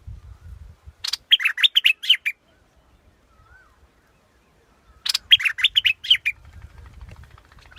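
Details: Scarlet-backed flowerpecker: two quick strings of harsh, buzzy chirps, each about a second long and four seconds apart, over a low background rumble.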